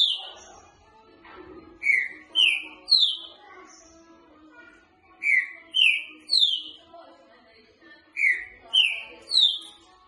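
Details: Green-winged saltator boca mole song for training: the same three-note phrase of rich, downward-slurred whistles repeated three times, roughly every three seconds, each note stepping higher than the last.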